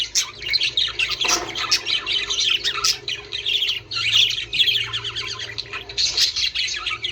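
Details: Several budgerigars, used to encourage breeding, give rapid warbling chatter broken by harsh squawks, with a loud burst of twittering around the middle and a faint low hum behind.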